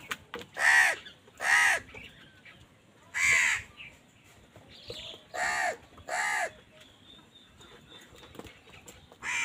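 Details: Crows calling while fighting with wild birds over food: harsh, broad caws, several spaced about a second apart in two bursts, with quieter chatter between.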